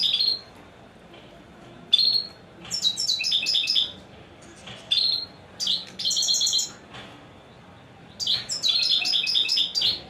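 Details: Goldfinch singing in separate phrases: short sweet whistles alternating with dense bursts of bright, chattering twitters and trills, pausing between outbursts.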